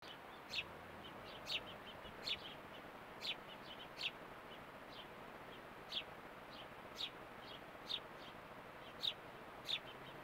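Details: A fledgling house sparrow exploring a garden with a bird bath in Calgary, Alberta, Canada gives short, bright chirps about once a second at an uneven pace over a soft steady hiss.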